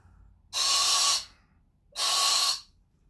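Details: Pet male sulphur-crested cockatoo in a shop, relaxing with his owner after work, suddenly gives harsh, breathy hisses about half a second long, 1.5 seconds apart, in a quiet room; it lasted five minutes and the owner doesn't know why.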